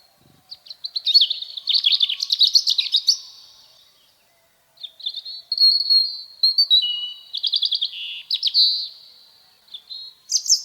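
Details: European robin, a UK bird of gardens and forests, sings high, wistful phrases of thin whistles and fast trills, each a few seconds long and separated by brief pauses, with no other sounds.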